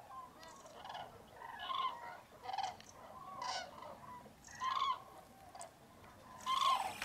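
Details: Hundreds of common cranes waking at a massive winter roost in Spain's Tablas de Daimiel wetlands, fog at first light in mid-January; repeated bugling calls rise from the flock amid a steady murmur, with greylag geese and teal also present.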